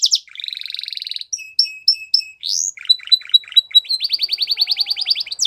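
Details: Canary song for training young canaries, mixing a buzzy roll, spaced clipped whistles, a rising sweep, quick chips and a fast run of repeated notes.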